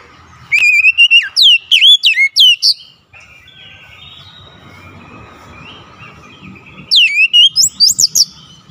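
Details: Oriental magpie-robin singing insistently, loud bursts of sharp whistled notes with steep downward and upward sweeps, a long quiet gap in the middle filled by soft background noise.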